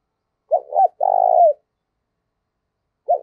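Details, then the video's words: Spotted dove giving its fight-inciting decoy call: a double short coo and a long trilled coo, then a pause before the next phrase begins at the end. The background is silent. "tiếng cu gáy thúc đấu rất sung"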